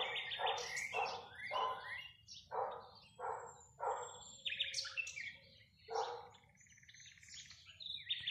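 Common starling singing a varied medley of harsh rattling bursts, clicks and thin whistles, delivered in quick broken phrases about every half second.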